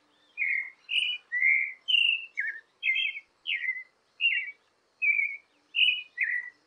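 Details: A creamy-bellied thrush, a migratory thrush of Brazil, sings a steady run of short, clear whistled phrases, about one every half second, some slurred downward. No other sounds are heard.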